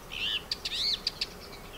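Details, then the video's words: Male song thrush singing from abandoned orange groves at Sueca, Ribera Baixa, Valencia, Spain, where the species now breeds. Short burst of varied whistled phrases, a warbling slur followed by several sharp high notes, over a quiet background. "ZORZAL COMÚN en Sueca | 🎵 CANTOS DE AVES"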